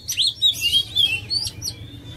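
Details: Short, fainter stretch of oriental magpie-robin song: a few bright whistled slurs and chirps against a noticeable low background rumble.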